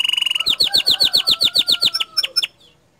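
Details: Bottle-green canary tutor song, whose 'tembakan' bursts are said to excite other canaries: a fast rattle gives way to about fifteen evenly spaced, bright downslurred notes, then a few sharper notes and an abrupt stop.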